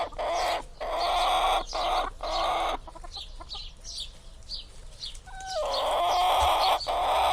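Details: Chicken uttering loud, drawn-out, harsh calls in long bursts, separated by a quieter stretch with soft clucks and faint background chirping.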